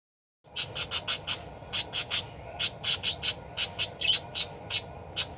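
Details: Parakeet calling energetically, recorded as a training sound for other birds: a rapid, steady string of about twenty sharp, high chirps in quick bursts over a constant low hum.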